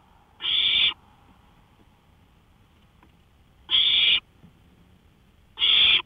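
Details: Night recording from a porch, 1:53 AM on May 5, 2013: an owl utters three harsh hissing bursts, a long silent pause after the first, then two more close together.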